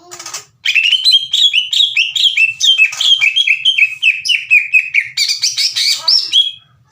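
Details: Ngeplong and harsh tembakan song from an aggressive caged greater green leafbird, very loud and strident. A continuous six-second stream of quick, chattering downslurred whistles, growing buzzier near the end.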